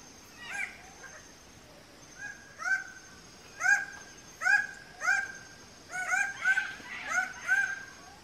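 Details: A red bird-of-paradise at a display tree where males dance for females gives loud, nasal, honking calls, about ten in eight seconds, some in quick pairs, over a steady high insect drone.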